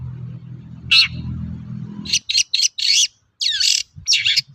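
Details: As a lure for other shrikes to sing, a long-tailed shrike gives a single harsh note over low rumbling noise, followed by a rapid, varied burst of scratchy, buzzy notes and one downslurred squeal.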